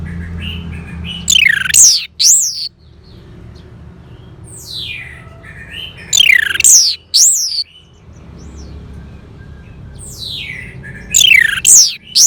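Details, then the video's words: Orange-headed thrush delivers loud bursts of steeply descending, sweeping whistles with a few rising notes. The bursts come roughly every five seconds, with quiet gaps and low rumble between them. "Terap1 Suara ANIS MERAH Macet Bunyi Agar Mau Kenceng Dengar Kicauan Ini."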